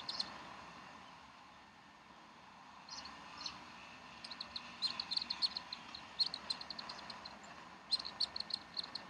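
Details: Bald eagles at the Decorah nest on 18 April 2012, around 10:30 in the morning, both parents feeding the chicks: bursts of high, thin chittering notes in quick series, scattered between quieter gaps over a low background hiss.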